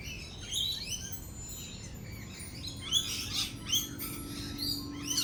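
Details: Lorikeets gathered at a cafe while thunder rolls and lightning flashes, trading high, buzzy screeches and short chattering notes, quieter at first and busier in the second half, over a low hum.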